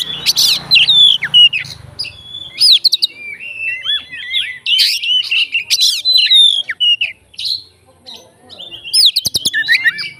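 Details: Provoking song of a fighter Oriental magpie-robin: bright looping whistles and rasping notes in busy phrases, a low hum at the start, a brief quiet gap near the end before more bursts.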